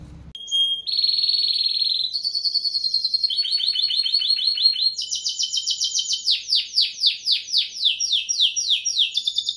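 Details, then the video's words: Timbrado canary singing a loud, continuous sequence of tours. A steady high whistle gives way to rapid rolled trills, then fast repeated downward-sweeping notes, each phrase shifting in pitch, in a quiet room. "Timbrado Canary"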